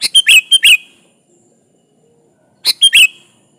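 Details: Sooty-headed bulbul (kutilang) in energetic song meant to draw a rival: quick clusters of sharp chirps and liquid warbled notes, one phrase, a pause of well over a second, then another similar burst.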